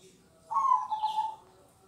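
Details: Local-type zebra dove singing in the kong style: a single soft, rolling coo lasting under a second, trilled and fairly even in pitch with a slight fall, against a quiet background.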